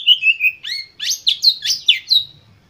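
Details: Oriental magpie-robin giving an intense lure song (pancingan) meant to provoke other magpie-robins into singing: a clear whistled opening slides down, then a fast run of about eight loud, sharply rising and falling chirps.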